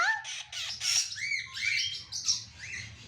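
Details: Pet ring-necked parakeet producing a run of harsh squawks and bright rising whistled chirps, loud and continuous for about three seconds, indoors with faint background hum.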